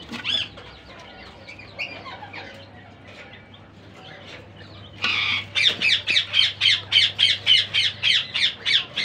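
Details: Captive rose-ringed (ringneck) parakeet chicks from the season's first clutch give scattered soft squeaks, then a burst of harsh, high rasping calls repeated about four times a second.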